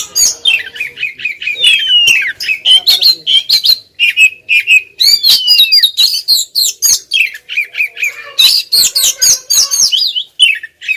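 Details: Female white-rumped shama insistently calling toward a male, a dense unbroken stream of sharp chirps, slurred downward whistles and scratchy notes, fast and irregular for eleven seconds.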